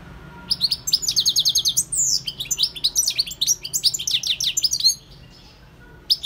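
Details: Wild European goldfinch in full song, a fast liquid stream of twittering and trilled notes, including a clear rapid trill, lasting about five seconds before stopping; a brief final chirp follows.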